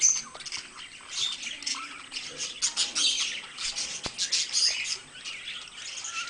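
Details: Two pet budgerigars chattering continuously in a dense, high scratchy warble, with squawky bursts and short whistled notes overlapping throughout; one sharp click near the middle.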